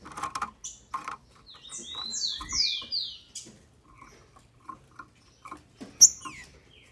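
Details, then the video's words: Captive female green-winged saltator in Brazil, whose song is used to excite males: a quick cascade of high, falling whistles, then scattered clicks and a few brief high notes. "FÊMEA DE TRINCA FERRO para ENLOUQUECER seus trincas"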